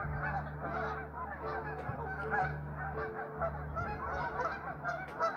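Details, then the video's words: Restless geese honking together, a crowded wall of coarse, braying calls with no pauses, layered over a persistent deep mechanical-sounding hum and a faint steady tone. "Restless geese!"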